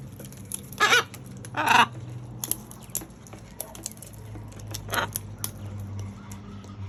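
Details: Macaws feeding on fruit utter loud, grating squawks: two close together early on and a shorter one later. Soft clicks and tapping sounds fill the gaps, with a low steady hum underneath.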